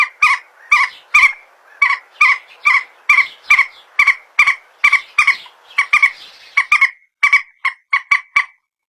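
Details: Common moorhen, locally called peruk or tiung, phone recording: a fast, continuous chatter of harsh clipped notes, roughly two per second, tapering to quicker short triplets near the end over faint hiss.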